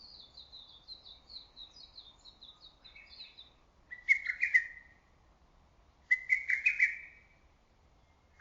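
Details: High, thin twittering of another bird opens, then a lesser cuckoo breaks in close and loud with two ringing whistled phrases of rapid notes, about two seconds apart, in early summer forest.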